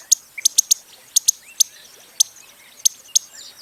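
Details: Costa's hummingbird calling with sharp, thin, high ticks, first clustered quickly and then spaced out at uneven intervals, over a quiet natural background.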